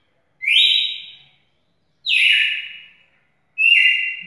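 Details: Three loud, clear whistled notes from a champion red-cowled cardinal, about one and a half seconds apart, each dropping in pitch and fading slowly, over a quiet background.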